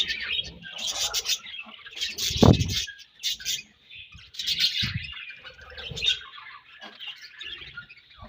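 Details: Budgerigars feeding and trading food chatter in loud high bursts and trills, interrupted by heavy low thumps and a brief lull in the middle.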